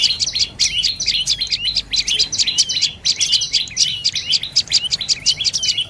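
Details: Rapid high-pitched chirping from a dark-necked tailorbird, clusters of quick sharp notes with small downward slurs, broken by a brief pause near the middle.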